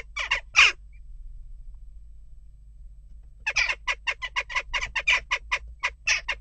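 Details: Jackdaws causing unrest at a nest box give a brief trio of harsh chak calls, then fall silent for nearly three seconds before a rapid, uneven run of over a dozen clipped, raspy notes.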